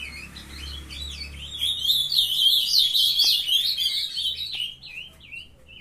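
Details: Brood of captive-raised ultramarine grosbeaks in full song, a rapid, dense chatter of high, wavering whistled notes that swells in the middle and tapers off toward the end.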